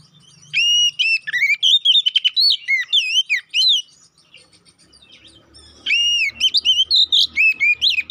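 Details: Oriental magpie-robin, a lure recording meant to make the bird emotional and provoke fighting; loud, varied whistled phrases with rising and falling slurs and sharp notes in two bursts separated by a quiet pause.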